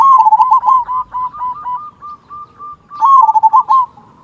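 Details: Zebra dove of local stock, a frequent singer with a big 'kung' voice, used to stir other doves to sing: rapid rolling coos slowing into spaced single notes, then a fresh loud burst of quick warbled pulses.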